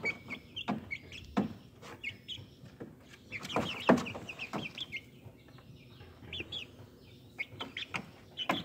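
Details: Speckled Sussex chicks, hatched in March 2023 and recorded at about five weeks old: a sparse run of thin high peeps and short chirps, with soft clucks and a louder cluster of knocks midway.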